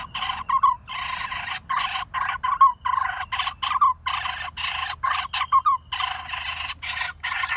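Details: Lineated barbet family at a nest in a hollow dead durian tree, chick near fledging screaming as parents feed it; dense rasping squawks in irregular bursts over a low hum.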